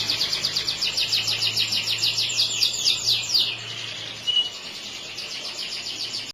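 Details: Yellow canary pouring out fast, pulsing high trills for about four seconds, then dropping to a softer, quieter trill, with a low steady hum beneath the first part.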